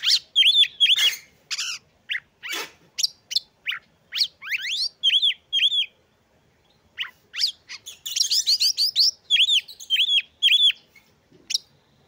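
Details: Oriental magpie-robin song used to make other magpie-robins sing and come into breeding condition; long sequence of loud looping whistles repeated in groups, fast rising sweeps and chips, a pause mid-way.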